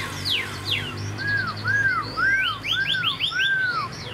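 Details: Young captive Chinese hwamei, this year's bird caught as a fledgling: clear arched whistles repeated about every half second, then a quick series of rising upslurred notes, after opening descending sweeps.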